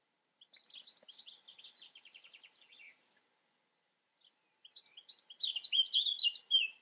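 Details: European goldfinch delivering a fast, jumbled twittering song of bright chirps and buzzy trills, two phrases split by a short silence, the second louder and denser with ringing notes.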